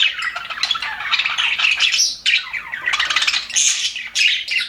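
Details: Steady, scratchy warbling and high squeaks pour from happy budgerigars kept in an aviary, several birds calling at once with barely a pause.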